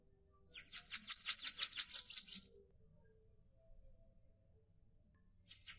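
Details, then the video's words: Bananaquit song: a two-second run of high, sizzling repeated notes, a silent pause, then the next trill just beginning at the end. "Sibite Cambacica Cantando | Canto de Pássaro Puro"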